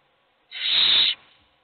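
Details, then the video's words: One loud hissing screech lasting over half a second from a hungry owl chick begging in a nest box. "Todos los polluelos tienen hambre, pero sólo come uno."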